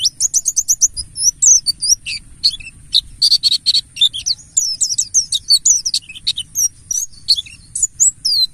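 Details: Mountain white-eye (buxtoni) giving a lively lure song used to prompt other birds into song: fast, high-pitched chattering twitters and sweeping squeaks in a continuous stream.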